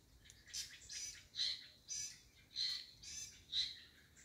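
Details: Wild-born white-rumped shama giving a series of six harsh, buzzy, broadband notes, roughly two per second, with short gaps between them and quiet background.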